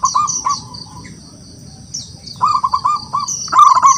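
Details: Wild local zebra dove calling rivals with song: a few soft rolling notes, a pause, then a rising series of quick coo notes ending in a brighter trilled burst, amid high-pitched chirps of other birds.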